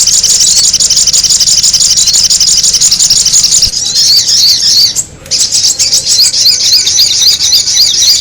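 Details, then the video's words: Noisy sogon bird lure: a steady blur of high chirping, then after a short break clearer rising-and-falling squeaky notes repeated quickly, several per second, over continuing chatter. "the sound of the noisy sogon bird"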